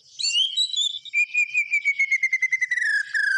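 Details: White-rumped shama singing vigorously: a bright whistled opening, then a long slowly falling whistle with rapid ticking notes layered above it.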